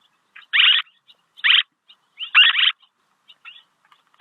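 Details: Swallow voice intended for luring. Three loud, grating chirps come in about four seconds, the last a rough double note, with scattered faint ticks between them and no other sound.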